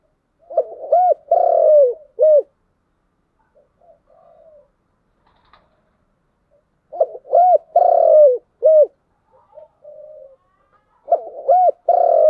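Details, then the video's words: Spotted dove repeating its 'giọng đồng' song three times, roughly every five seconds: clipped hooked coos, a long downward-sliding coo and a short end note, with quiet low murmurs filling the gaps. "Cu gáy giọng đồng"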